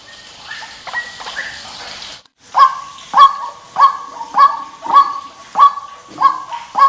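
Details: White-breasted waterhen calls used as a lure recording: after a few scattered squawks and a brief pause, a loud clucking note repeats steadily about every 0.6 seconds, each with a ringing tonal centre.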